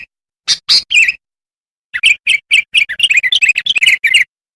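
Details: Sooty-headed bulbul singing as a lure for wild birds: a few sharp chirps, a short pause, then a rapid chattering series of warbled notes that grows quicker toward the end.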